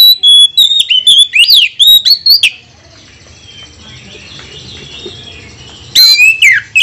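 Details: Oriental magpie-robin provoking song: two and a half seconds of quick whistled notes and looping slurs, a long near-silent gap with faint room noise, then a new burst of sharp, sweeping notes.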